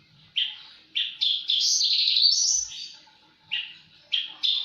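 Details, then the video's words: Javan bush lark singing in full voice: rapid clipped chirps leading into a long, loud buzzy trill, then more quick chirps, high pitched and clear. "Burung branjangan gacor"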